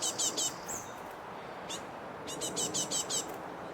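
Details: Young great tits, impatient to be fed, land on and around the person feeding one and shout thin, high, scratchy begging notes in quick bursts of three to six, over a steady hiss.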